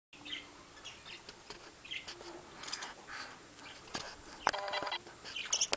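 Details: Pet budgerigar, also called a parakeet, in an old home recording from 2010, giving scattered soft chirps and scratchy warbles with sharp clicks and taps between them, over a steady faint high electronic whine.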